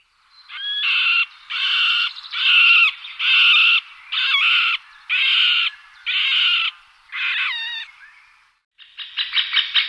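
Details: Middle spotted woodpecker giving long, harsh, nasal squealing notes in an irregular series, about one per second, then a brief rattling burst of quick notes at the end.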